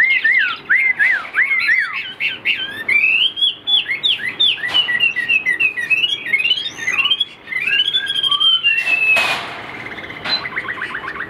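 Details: Caged Chinese Hwamei singing loudly: a rich run of varied whistled phrases, rising and falling slurs and quick repeated notes, with a few sharp clicks in the background.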